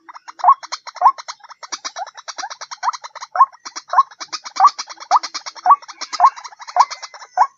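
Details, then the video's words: White-breasted waterhen calls played as a lure: a dense, continuous run of rhythmic croaking notes, roughly two per second, layered over fast stuttering chatter with no pauses. "Suara pikat Mp3 Ruak ruak"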